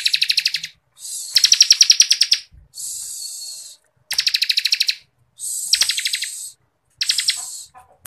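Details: Ciblek kristal, the Bar-winged Prinia, in continuous ngebren singing for songbird-contest tutoring: repeated quick metallic trill bursts alternating with hissing buzzes, six phrases in eight seconds with brief silences.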